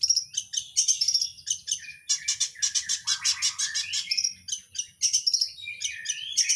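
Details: A cendet, the long-tailed shrike, delivers an energetic, mimicry-rich song. Rapid high ticks and chips are mixed with scratchy chatter and short whistled slurs, barely pausing throughout.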